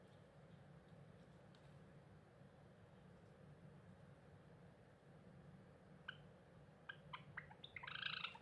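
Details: Low rumbling background noise fills most of the recording, then a cinnamon Java sparrow singing in a weedy garden plot on 8 April 2021 breaks in near the end with quick clicking notes and bright, bell-like chirps.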